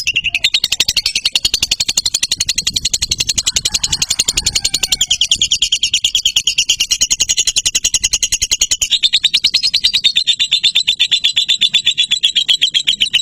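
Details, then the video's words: Lovebird giving an unbroken high chattering trill, rapid scratchy chirps running continuously for over thirteen seconds, slightly shifting in pitch midway. "Lakbet Durasi TOP Love Bird Joss"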